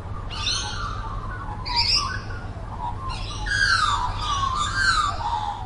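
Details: Magpie, species not stated, giving rich warbling calls: bright chirpy bursts alternating with a mellow, fluting phrase that slides downward, repeated in overlapping runs over a steady low background hum.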